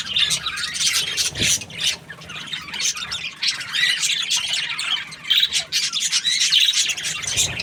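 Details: Contented budgie chirping: long runs of scratchy, high warbling interrupted by brief pauses, with occasional sharper squawk-like notes.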